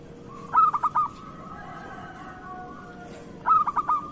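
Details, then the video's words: Local zebra dove song used as a lure for lazy doves and as therapy or a master song for moulting birds: two bursts of quick stuttering notes near one pitch, each ending in a held note, with a long steady tone between. "Pancingan Perkutut Lokal Gacor"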